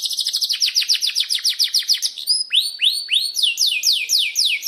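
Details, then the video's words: Canary singing a lure roll for training canaries: rapid chirped trill, then high whistles and arching upswept notes, followed by broad descending sweeps. "Masteran Suara Burung Kenari Gacor Panjang cuit cuit Ngeroll untuk Pancingan Kenari!"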